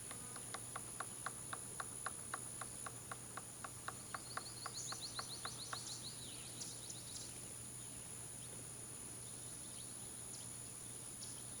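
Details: Hill Bank Field Station, male Golden-fronted Woodpecker working possible nest holes: a quick run of even taps for about six seconds, then only background hiss with a few high bird notes.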